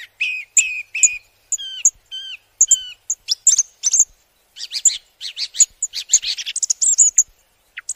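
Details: Flowerpecker giving a rapid series of thin, high chips and short downslurred notes, some clustered into quick twittering runs, on a quiet background.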